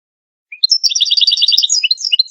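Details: European goldfinch song used as a lure for trapping goldfinches, 2022: after a short lead-in note, a fast tinkling twitter of paired high and low notes runs on without pause.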